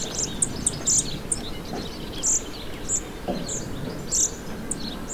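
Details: Song thrush after fledging, being fed in a garden in Morbihan, Brittany, on 27 June 2023: thin, very high, short squeaky notes repeated about every half second over a steady low rural hiss.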